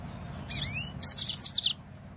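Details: A yellow-fronted canary, played to get birds singing, opens with two long rising whistles, then a string of five or six bright, high, down-slurred chirps.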